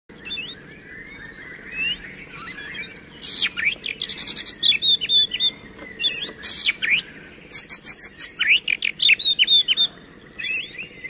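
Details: Caged oriental magpie-robin singing loudly, a varied song of sharp whistled notes and rapid chattering bursts from about three seconds on, fast repeated high phrases separated by brief pauses, with a low steady background hum.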